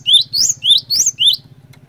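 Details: A lively cinereous tit's lure song, used to make other cinereous tits join in: five clear, rising whistled notes swinging between a lower and a higher pitch, then a pause, with a soft steady hum.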